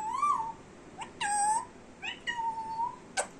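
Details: Pet Indian Ringneck parrot talking, its repertoire including a meow: drawn-out, smooth, nasal tones with harmonics, some rising then falling, plus a couple of short clicks in a quiet room.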